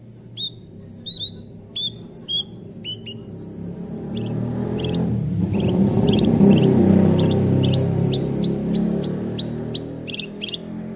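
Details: Javan bush lark song meant to coax a silent lark into singing: rapid high chirps at first, then a loud low rumbling noise swells while quick thin notes keep repeating above it.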